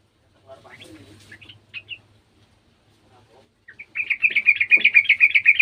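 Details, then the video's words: Scattered soft chirps, then a loud, rapid chattering trill of repeated high notes. The sooty-headed bulbul is a garden bird joining in with the sounds of an untrained bird. "TRUCUKAN KEBON ikutan bunyi burung trucukan bahan"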